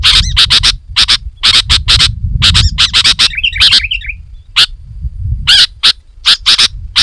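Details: Lively sooty-headed bulbul, loud and dense, meant to draw wild bulbuls closer: quick clusters of scratchy chirps and a brief warbled whistle phrase midway, over a low rumbling background.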